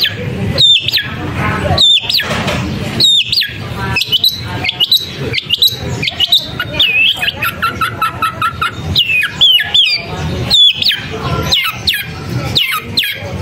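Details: Long-tailed shrike giving sharp, high whistled notes that sweep down, mixed with quick chattering phrases, all set against a regular pounding percussive beat.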